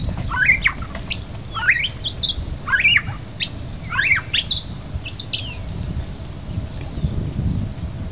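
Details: Non-native white-rumped shama at West Loch Shoreline Park, Pearl Harbor, Oahu, Hawaii, giving loud rising whistled phrases about once a second, with sharp high notes between them, then softer scattered notes over low rumble.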